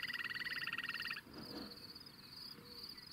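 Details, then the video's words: An Upland Sandpiper, a shorebird of open shortgrass prairie far from any coast, gives a fast, bubbling trill of rapid notes for about a second, while a steady high insect buzz continues throughout. "Upland Sandpiper: Grass Plover"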